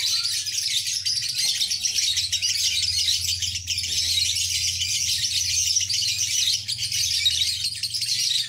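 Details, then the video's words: Lovebird sustaining its long ngekek: a high, buzzy, rapid-fire chattering trill that keeps going for over eight seconds, with a steady low hum in the background. "Lovebird Ini Ngekek Panjang"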